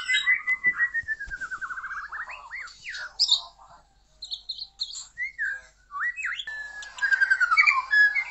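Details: A white-rumped shama sings a long, varied sequence. A descending chain of quick whistles runs into twisting slurred notes, a brief pause, then scattered chirps and a final falling trill.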